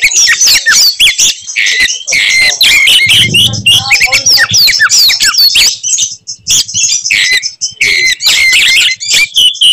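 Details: Fighting Oriental magpie-robin with dense, continuous high warbling full of slurred whistles and staccato clicks, a low hum briefly beneath it, delivered to make rival males furious.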